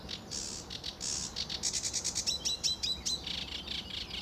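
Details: Sedge warbler singing lively in early morning sun under blue sky at RSPB Fowlmere, England, in July 2013: a fast, scratchy chatter of buzzy notes and clear whistled trills, rapid repeated elements around mid-clip, with some quiet low background rumble.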